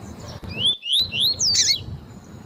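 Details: Tui-tui style song of a spirited 'fibra' double-collared seedeater, with a female's call meant to stir the male. After a sharp click, three or four upward-sweeping whistles follow quickly, ending in a brief buzzy, noisy note.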